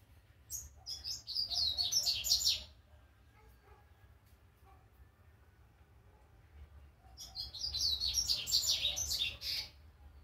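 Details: Young brown double-collared seedeater learning its first notes, giving two long bursts of rapid high scratchy twittering separated by about four seconds of near quiet, with low hum throughout.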